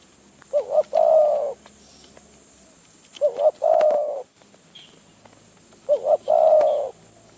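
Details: Spotted dove answering a decoy in the wild around Phrae, Thailand: three matching phrases roughly every three seconds, each a rapid two-note lead-in and a drawn hollow coo, with a faint high whine behind.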